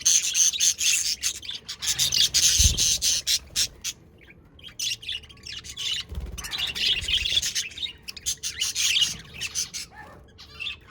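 Budgerigars chatter in a busy flock, a continuous stream of high, scratchy chirps and warbles.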